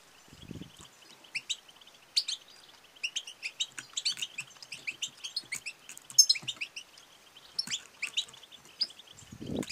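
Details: European goldfinch female calling, batbata and satsata twitter meant to stimulate male singing and mating; dense bright high chirps and trills run almost continuously, with low thumps at the start and end.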